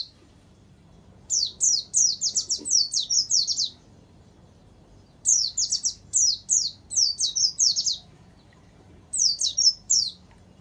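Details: Pleci, the warbling white-eye, in a training recording with canary-like fill: three long strings of rapid, piercing, descending chirps, each string about two seconds, over a quiet background.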